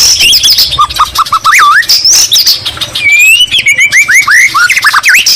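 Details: Loud, lively white-rumped shama song filled with greater green leafbird imitations: high thin whistles over a string of quick upslurred notes, then a burst of curling, swooping whistles and chirps.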